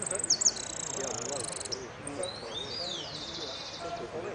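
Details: A hooded siskin competing in a singing contest sings a fast, high, twittering warble with buzzy trills and rising sweeps, over a murmur of people talking.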